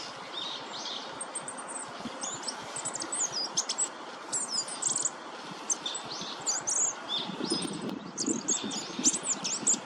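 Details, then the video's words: Goldcrest, a small winter visitor to Korea, recorded in early March 2024: thin, very high squeaky notes in quick tumbling phrases, soft and intermittent over a steady hiss of background noise with a low rumble near the end. "상모솔새 울음소리 Goldcrest song"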